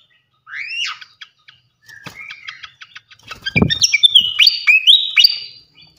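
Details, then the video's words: Flycatcher tutor song for training songbirds: a loud rising whistled swoop, scattered ticks, then a lively run of clipped whistles and upward slurs, with a dull thud midway. "gacoan ngeplong masteran asah mental burung jawara khas srikatan kipas"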